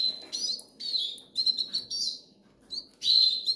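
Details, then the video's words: Hungry goldfinch nestlings in the Canary Islands begging: bursts of thin, high, squeaky wheezes with short rising whistles, broken by brief pauses over a low background hum. "LOS PICHONES TIENEN HAMBRE"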